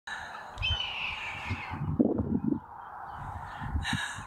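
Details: A hawk, disturbed by people nearby on a windy day close to a main road, gives a harsh, raspy scream slurring downward over about a second, then a shorter rough burst, over low thumps and rumbling wind and traffic noise; hawk.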